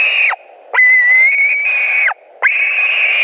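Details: At a Latvian white-tailed eagle nest, 17 July 2020, 22:00, while fish is delivered and contested by two adults: three loud, sustained whistles, the middle one longest at over a second, each dropping sharply at its end.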